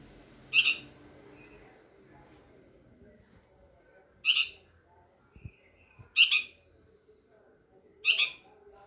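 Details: A juvenile red-vented bulbul calling for its parents gives four short, harsh, buzzy calls, spaced about two seconds apart, over a quiet background with faint low rumbles.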